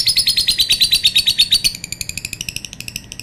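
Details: Long lovebird call: a continuous, rapid run of shrill, clipped chirps, louder at first, then slightly softer and quicker toward the end.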